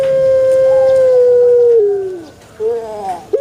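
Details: Male Barbary dove producing one long, smooth, steady coo that slowly falls in pitch, then a short pause and a softer lower closing note.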